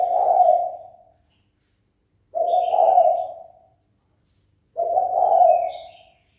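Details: Spotted dove giving its fight-inciting call: three low, rolling coo phrases roughly two and a half seconds apart, each rising and then dying away, with brief faint high chirps between.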